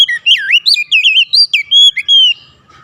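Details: A melodious Oriental magpie-robin phrase of varied, fluty whistles, a deep swooping dip first, then quick wavering notes, finishing on a sustained level whistle before falling quiet.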